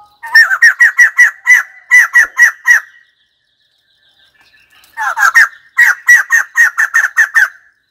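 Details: White-crested laughingthrush giving two loud bursts of rapid, harsh cackling notes, about eight or nine each, separated by a silent pause of roughly two seconds.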